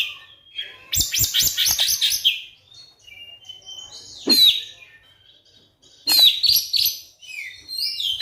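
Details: Oriental magpie-robin song used as a lure to get silent magpie-robins singing: bursts of rich, rapid whistled and chattering notes, a sharp downslurred call mid-way, then another bright warbled burst ending in thin rising whistles.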